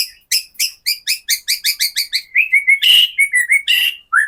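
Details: Captive white-rumped shama singing kretekan, a lure song meant to provoke other shamas into singing and fighting spirit; quick repeated chipping notes in an even series, followed by high whistles and a loud rasping burst.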